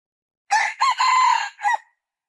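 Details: One complete crow of a red junglefowl, harsh and brassy, in four parts: a short burst, a quick rise, a drawn-out strained note and a short tail, all against silence.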